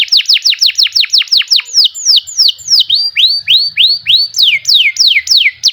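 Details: Canary song: fast trills of clear downslurred whistles repeated several times a second, then slower, rising, swooping notes and a final series of high descending whistles, loud and clean.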